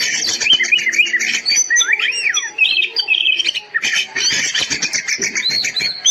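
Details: Masteran song of an oriental magpie-robin (kacer) for tutoring other birds: energetic, rambling mix of harsh chattering, squeaky notes and looping rising-and-falling whistles, delivered nonstop.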